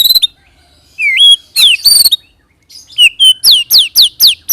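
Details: White-rumped shama song used as a lure for other shamas, rolling style: a few clear whistles and a rising slurred note, then a fast series of sharp downward-sweeping whistles repeated about four per second.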